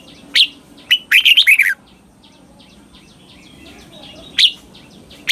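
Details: Red-whiskered bulbul singing a doubled southern master-style phrase, used to teach young birds to copy: one sharp note, then a loud burst of rapid warbled notes, one closing note, with faint chirps from other birds between.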